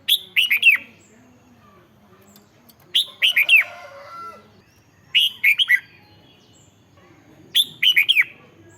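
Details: Red-whiskered bulbul kept in a cage in Thailand, song played to rouse birds: four quick whistled phrases of three or four falling, slurred notes, repeated roughly every two and a half seconds, with soft flutters between.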